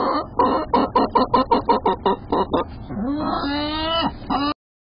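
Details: Domestic hens about seven months old, laying about four eggs a day, very vocal: a rapid run of about fifteen short, evenly spaced clucks, then longer drawn-out rising and falling squawks, with people laughing nearby.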